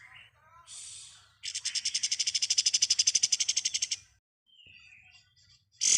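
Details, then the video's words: High, fast trill from a pied triller singing ngebren style, offered as tutor song for caged birds. Brief soft whistles come first, then a dense rattling trill of about two and a half seconds, a faint whistle, and a final sharp note. "Masteran Kapas tembak ngebren"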